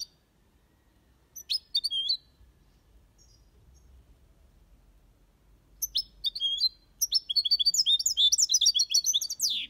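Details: European goldfinch singing the Malaga copy in an aviary: a few scattered chirps, several quiet seconds, then a building, lively twittering run of high notes to the end.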